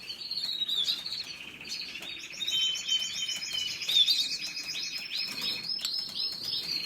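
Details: Continuous canary song made of dense rapid trills and rolling warbled phrases, with a fast buzzing tour running through the middle and a few sharp higher notes on top.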